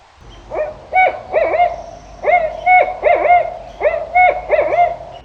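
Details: Barred owl of North American deep forests giving its hooting call: rhythmic groups of deep, emphatic hoots with swooping, slurred endings, repeated in a steady pattern of phrases with a faint background hum.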